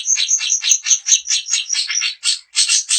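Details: Long-tailed shrike of the style called daput, its song used to make other shrikes sing and get agitated: dense, fast run of high, scratchy, varied notes with bright whistled peaks, about two or three bursts a second.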